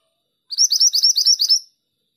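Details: Female pied bushchat singing energetically: a rapid run of about nine high, sharp chirpy notes in just over a second, each a quick twittering slur, against a silent background.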